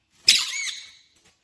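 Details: Indoor pet parrot that speaks "Mummy Papa" lets out one short, bright, high squawk lasting under a second, starting sharply and trailing off into silence.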